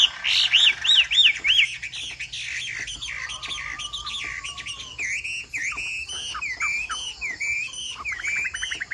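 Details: A Chinese hwamei of the 'bộ tam hoàng' type pours out rain-like song. Four loud looping whistles come first, then a steady chatter of quick slurred notes over a faint lower drawn-out tone.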